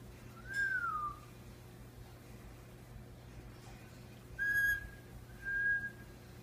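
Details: Pet Indian ringneck parakeet whistling indoors: a clear falling whistled note, then after a pause two short, steady, high whistles in quick succession.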